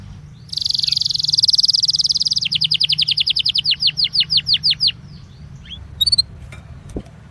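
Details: Song of a Belgian canary meant to warm up other canaries: a dense rapid trill gives way to slower, evenly spaced repeated sweeping notes, then a few brief high chips after a pause.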